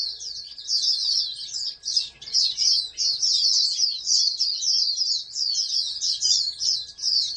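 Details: Bred oriental white-eye, a national contest champion candidate, sings bursts of fast, thin, twittering notes in loose phrases roughly a second long, with small gaps between them.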